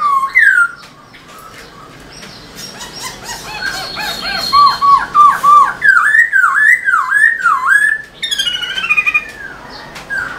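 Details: A tail-dancing Black-throated laughingthrush pours out a varied song: jumbled chatter gives way to a rolling series of loud dipping whistles. Higher rapid notes finish the phrase.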